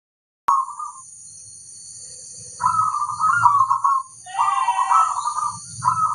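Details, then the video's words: Local zebra dove singing: a short purring coo phrase, a pause, then longer rolling, pulsed coo phrases with deep low undertones, over a steady high electronic whine. "suara sang masteran burung perkutut crosing"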